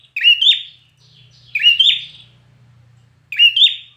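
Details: Intense competition singing by a red-whiskered bulbul: three loud whistled double flourishes, evenly spaced, each rising and dropping quickly, with a quiet low drone between phrases.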